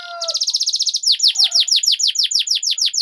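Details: Canary master song for teaching young birds to sing long rolls: a rapid even trill of short high notes, followed by steady repeated downward-sweeping notes about three per second.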